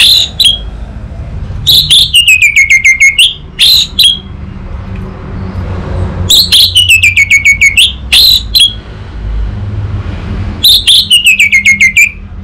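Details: Song of an adult orange-headed thrush kept in a cage: a repeated phrase of sharp notes followed by a fast rattling trill of short whistles sliding downward, given about every four seconds over a faint low hum.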